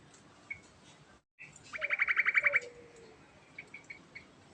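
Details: Sooty-headed bulbul in ngerol song: a burst of roughly ten quick, evenly spaced bright notes lasting under a second, followed by a few scattered short chirps over steady background hiss.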